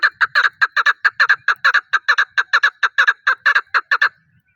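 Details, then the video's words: Close chukar partridge delivering loud, harsh clucking notes, often paired, repeated in a quick uneven rhythm for several seconds before falling silent. "chakor call | chakor voice"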